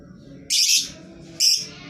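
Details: Lovebird whose calls are meant to coax quiet lovebirds of any kind into singing: two short, shrill, scratchy bursts about a second apart over faint low background hum.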